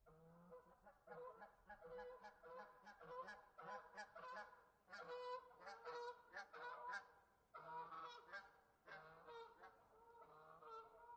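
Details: Several geese outdoors honk in overlapping, nasal bursts, a few calls every second with brief pauses between bouts.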